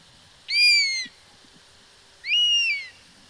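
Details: European Honey Buzzard giving two plaintive whistled calls about two seconds apart, each rising briefly then sliding slowly downward, clear and ringing with strong overtones over a quiet background.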